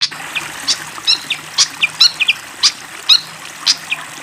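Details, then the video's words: Fantail singing energetically, with flowing water in the background: scattered high, short chirps and brief whistled notes, some sharply rising, spaced irregularly over a steady hiss of running water. "SUARA BURUNG SIKATAN KIPASS GACOR DENGAN SUARA AIR MENGALIR"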